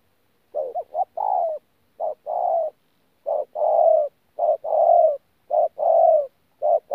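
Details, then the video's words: Spotted dove ('bổi') giving 'thổ pha gù' coos at Tu Mơ Rông, 14 January 2019. It opens with a few quick stuttered notes, then settles into repeated low phrases, short hoot plus long coo, about once per second. "BỔI THỔ PHA GÙ QUÁ TỐT"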